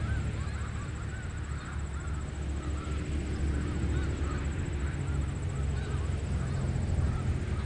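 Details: Snow geese on the Richelieu River, fainter chorus of quick nasal honks from many birds, several distinct arched yelps, largely covered by a strong low droning rumble.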